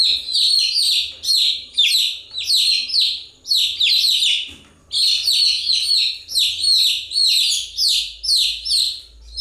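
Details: Steady chorus of chicks: piercing, downward-sweeping peeps pulse in repeated clusters with a faint low hum underneath.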